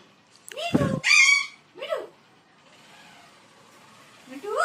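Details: Parrot mimicking speech and a dog with "Mitthoo Mitthoo": a harsh, loud burst followed by a rising nasal squawk, a short lilting syllable, then steady background hiss before a final rising call.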